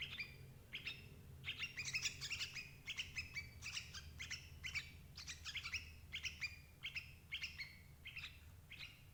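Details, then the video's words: Sooty-headed bulbul lure for catching adult birds: lively bursts of bright, clipped chirps in loose groups, repeated steadily, with a low rumbling hum in the background. "suara burung crucuk ampuh jebak indukan"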